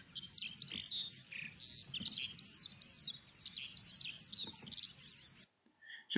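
A Eurasian skylark pours out a high, unbroken stream of rapid chirps, trills and slurred whistles for about five seconds, then stops abruptly.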